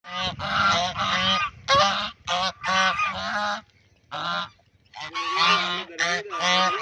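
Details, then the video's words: Duck playing in a pond, giving harsh, nasal, honking quacks in bursts of about half a second to a second, with short pauses and one longer gap near the middle. "Duck Making Sound"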